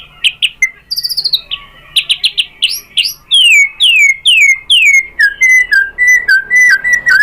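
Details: White-rumped shama singing to provoke other birds: sharp chips and a fast stutter, then loud downslurred whistles repeated steadily, settling into a run of lower clear notes.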